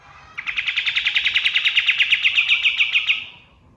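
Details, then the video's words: Dawn song of a male kapas tembak white-eye, a master recording for training songbirds: about three seconds of tight, evenly spaced sharp notes, roughly twenty in a row, ending cleanly over quiet background. "MASTERAN BURUNG KATEM GACOR | SUARA KAPAS TEMBAK SUBUH"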